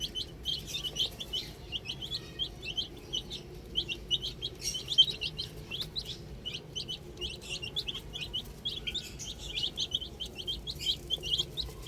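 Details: Little chicken chicks playing with a ball, a crowded chorus of short high peeps, each a quick upward or arched chirp, overlapping nonstop across the whole stretch with a steady low background hum.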